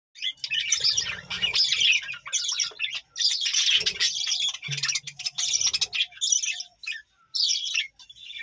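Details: Budgerigars from a colony kept at a village home farm give dense, high twittering chirps in overlapping bursts, with brief low rustling and thumps underneath.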